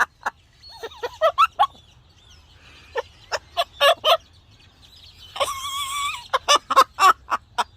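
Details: Pet parrot singing toward outdoor birds, a loud run of short sharp chirps and squawks, then a harsh buzzy warbled phrase near the middle and more clipped squawks, with a woman talking and laughing nearby.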